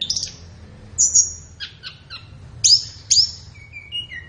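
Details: Flowerpecker song for morning or afternoon bird training: thin high whistles, a few sharp downward chips, two loud piercing slurs, then soft lower whistled notes.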